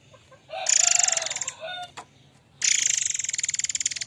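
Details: Murai air mancur in full song, used as a lure and tutor recording for other birds: two loud, harsh, buzzy bursts of rapid rattling pulses, each lasting over a second, with a short softer phrase between them.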